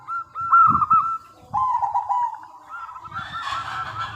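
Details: A local zebra dove sings as a lure for answering doves: a loud quick run of clear coos, then a long lower trilling phrase, ending under a wash of broad hiss.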